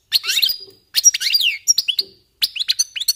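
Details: European goldfinches warming up their song: quick bursts of bright, tinkling twitters and trills, high-pitched with rapid slurred notes, separated by short pauses.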